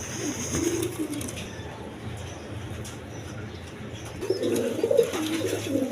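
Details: Native and foreign colour pigeons: a short low coo at the start, then a quiet stretch, then a louder burst of overlapping rolling coos near the end.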